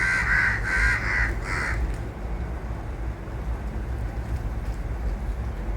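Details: Crows giving three rough, harsh caws in quick succession, about one every half second, then falling silent while a low background hum continues.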